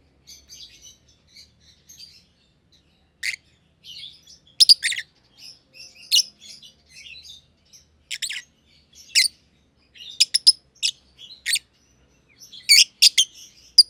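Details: Aviary pair of personata lovebirds, one green and one green pied, the younger not yet a year old: soft scattered twittering rises into louder isolated sharp chirps and brief rapid doubles.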